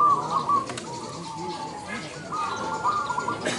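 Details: Zebra dove singing at a bird song competition in Indonesia: bubbly, trilled coos near one pitch, in short rolling phrases with a pause between, over a murmur of background noise.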